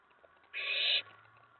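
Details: Owlet in a nest box at night on 19 May 2017, excited after a mouse delivery as another owl arrives on the tray. It gives a single harsh, breathy screech lasting about half a second against a low steady hum.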